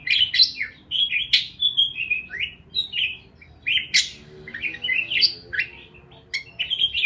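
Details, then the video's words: Chattering parakeets give a steady run of sharp high chirps mixed with short sweeping notes and occasional buzzy clicks, closely packed with only short gaps. "Parakeets Chirping Sounds"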